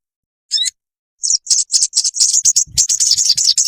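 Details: High, thin song of an olive-backed sunbird meant for training caged birds: an isolated sharp note, then a quickening string of scratchy, shrill chips and twitters.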